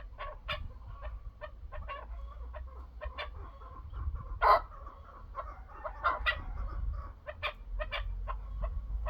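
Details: Chukar partridge giving a steady stream of short clucking notes, with one much louder harsh burst midway and another strong cluster later, over low rumbling noise.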